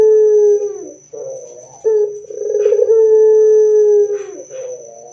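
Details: Barbary dove coo played to get other doves to answer: the end of a long low hum, then a short note and a rolling phrase settling into a sustained even tone, with a further coo beginning. A thin high whine underlies everything.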